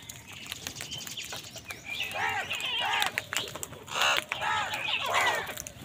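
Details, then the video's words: Crows cawing angrily as wild birds fight with them for food: a run of hoarse, arching caws in quick succession in the second half, amid thin chirps and twitters of smaller birds and outdoor noise. "Wild birds fight with crows for food | Crow bird unity anger and sund | Angry kawa ki awaaz"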